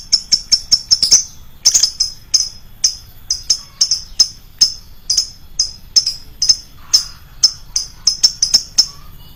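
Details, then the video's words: Loud lovebird lure calling: a steady stream of sharp, high-pitched chirps, clustered quickly at the start, then evenly spaced, with a few denser flurries. "pancingan burung lovebird, suaranya nyaring bosku"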